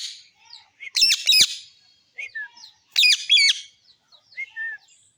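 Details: Parrot pair feeding; two loud bursts of harsh, stacked squawks about two seconds apart, each followed by short falling whistles and soft chirps.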